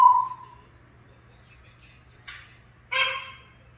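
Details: African grey parrot opening with a loud whistle that slides downward, followed by soft faint whistles, then two harsh raspy squawk bursts; a low steady hum runs beneath.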